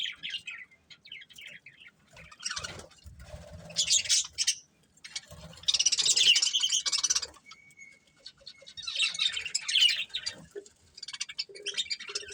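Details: Budgerigars from a breeding pair in a long stretch of dense, buzzy chattering warble. Loud bursts alternate with quieter pauses, and a soft low shuffling sound comes and goes underneath.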